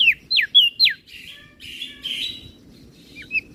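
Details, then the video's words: Flores crested white-eye singing in the 'gacor isian' style as a training master for other birds: four sharp descending whistled slurs in quick succession, then softer blurred warbling and a final pair of thin notes. "Burung Opior Jambul Flores Gacor Isian - Masteran Burung Kecial Suara Besar"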